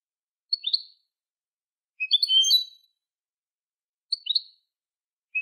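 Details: European goldfinch song meant for training young goldfinches: short doubled chirps alternating with longer tinkling twittered bursts, phrases spaced about one and a half seconds apart, clean quiet background.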